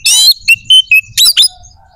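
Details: Oriental magpie-robin singing to trigger other magpie-robins' aggression and breeding drive: a harsh rasping note, then a string of clear sustained whistles, ending in fast sharp chirps.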